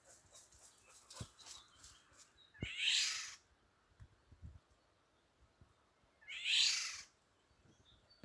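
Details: Eurasian golden oriole in a garden, a parent guarding fledglings that have just left the nest: two harsh, rasping, cat-like screeches about three and a half seconds apart, with soft knocks and rustling between them.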